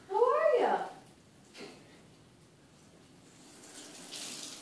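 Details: Pet Eclectus parrot during evening talk: one short loud harmonic squawk-like word at the start, then running water like a tap or sink fills the rest indoors.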